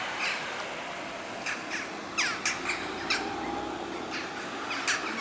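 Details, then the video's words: A large flock of western jackdaws flies at sunset on 11 October 2015 before roosting in trees near Houtwijk, The Hague, Netherlands, giving short, sharp 'tchack' calls, several birds overlapping at irregular intervals over a steady background hiss. "Western jackdaw (Corvus monedula) flying in large number at sunset"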